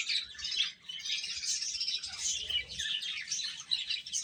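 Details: Chicks eating and calling nonstop, a shrill, continuous wash of tiny peeps from many birds at once, scarcely any gap across the whole stretch.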